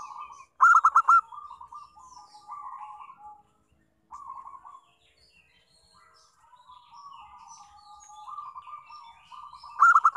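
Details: Local zebra dove singing as a lure to prompt other doves to sing: a loud burst of four or five sharp, clipped notes opens, then long soft rolling trilled coos, and a second loud burst closes.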